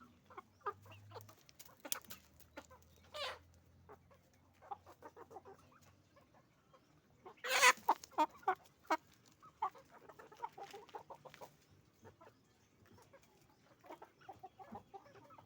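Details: Roosters and hens on a chicken farm: scattered sharp clucks and short calls with quiet gaps, a loud broadband clatter near the middle, and faint low hum early on.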